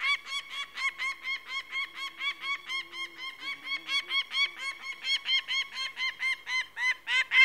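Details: Peregrine falcon calling in a long run of harsh, nasal cackling notes, roughly three per second, steady and unbroken throughout, with a faint low murmur in the first half.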